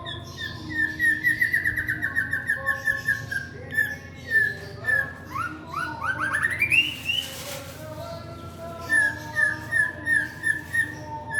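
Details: White-rumped shama singing while courting a female: a string of quick repeated whistled notes near mid pitch, then a rising slurred phrase and fast high trills, returning to rhythmic repeated whistles; steady low hum underneath.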